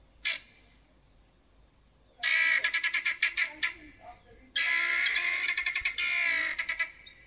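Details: Two guineafowl that landed on a neighbour's deck and went wild, calling frantically for five minutes. After one short harsh note come two long bouts of loud, grating screeches that break into rapid, stuttering rattles.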